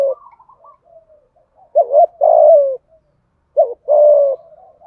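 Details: Spotted dove in the hạp bổi voice, cooing thúc gù style: soft low murmurs lead into two strong, hollow coo phrases, each a quick wavering note then a sustained hoot.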